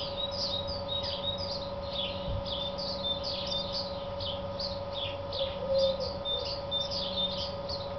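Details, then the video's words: A male house sparrow advertising in a farmyard on 3 April 2008 (file dated 2009) chirps insistently, a steady run of short bright cheeps several a second, over a constant low mechanical hum. "male house sparrow advertizing"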